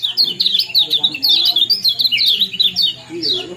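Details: Kecial kuning chirping, used to bring birds into breeding condition: rapid high, sharp 'ciak' notes that rise and fall in quick clusters almost nonstop. A low steady hum sits underneath.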